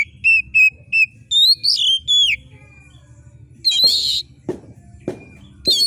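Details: Kacer, the oriental magpie-robin, giving a sharp screeching song to excite competition birds: a series of repeated short whistles, then warbled slurs, then loud harsh buzzy screeches with clicks between.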